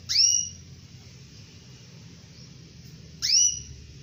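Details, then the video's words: A female canary calls the male with two isolated high, pure whistled notes roughly three seconds apart, each sweeping sharply then levelling off, over a quiet low background hum. "SUARA BURUNG KENARI BETINA MEMANGGIL JANTAN"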